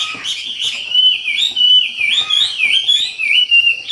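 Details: Energetic treepie (wambi) song: bright, fluid whistles sliding up and down in rapid, overlapping phrases, almost unbroken for four seconds, clear and close.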